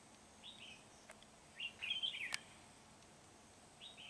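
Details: Red-whiskered bulbul song during lure-bird trapping at Núi Đá, 16 February 2019: brief chirpy phrases, then a longer bubbling, warbled phrase of tumbling notes, ending with another short chirp, over faint background hiss.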